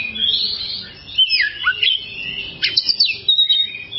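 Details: Oriental magpie-robin singing on a long tutor track meant for caged birds: fluid whistled phrases rich in rising and falling slurs, then a burst of quick sharp chirps and trills, all high-pitched.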